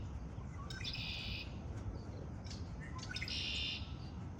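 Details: Birds in spring give two dry, buzzy trills, each under a second long and separated by a pause with soft chirps, against a low rumbling background.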